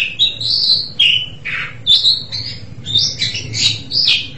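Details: Asian pied starling, a kept songbird, singing a varied run of loud whistled and harsh squawky notes, some rising and falling, others buzzy, in quick bursts with short gaps; faint low hum underneath.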